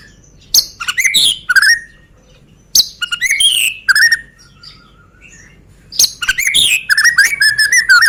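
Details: Kept Medan white-rumped shama whose song is played to make other birds sing. Three loud bursts of tumbling, varied whistles and chattering notes are separated by short quieter pauses.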